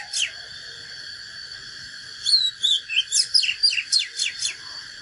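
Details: Oriental magpie-robin singing a natural fighting song: a short sharp note, then a burst of whistled slurs and rapid downward-sweeping notes repeated about four times a second, over a steady high droning hum.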